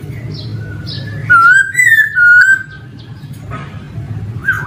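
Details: Male laughingthrush giving a short run of clear, level whistled notes, one slightly higher in the middle, over a low background hum.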